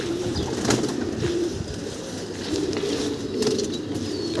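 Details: Pigeons being fed during a Kalbaishakhi storm; soft, low cooing phrases come through at intervals under heavy, steady storm rush and wind.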